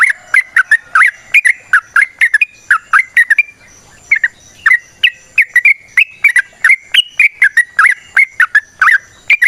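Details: Yellow-vented bulbul (trucukan) in wild 'ropel panjang' long rapid song, natural sound for use as a lure. Rapid chattering, liquid whistled notes run in two long phrases separated by a short pause near the middle.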